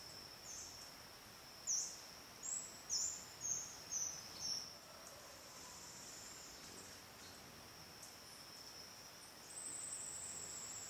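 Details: Ornate flycatcher (Myiotriccus ornatus) at Milpe Bird Sanctuary, Ecuador, May 2012, calls: about six very high, sharp, clipped notes, roughly two per second, over a steady high insect drone.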